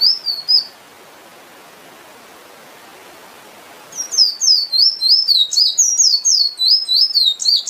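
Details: An emprit finch sings a brief whistled note, stays quiet for about three seconds, then launches into a fast, steady run of high, sliding whistles, nearly four per second.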